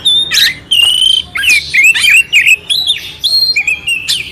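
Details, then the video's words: Oriental magpie-robin delivering a clear song with coarse fill-ins, meant to stir a quiet magpie-robin; loud wavering whistles broken by scratchy bursts, roughly three phrases a second with short gaps. "Suara Kacer Jernih isian kasar Cocok untuk masteran untuk menaikkan emosi kacer dingin"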